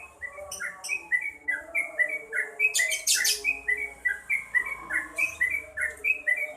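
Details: Yellow-vented bulbul singing vigorously: a steady string of short, clear, whistled notes, each slurring downward, repeated about once a second, with one brief burst of hissing noise.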